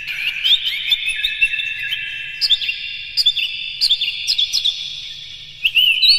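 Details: Captive Oriental magpie-robin with harsh, rough song material, sung in the morning as a lure for other birds. Continuous rapid whistled notes and sharp chips, with many short accents, keep coming without a pause.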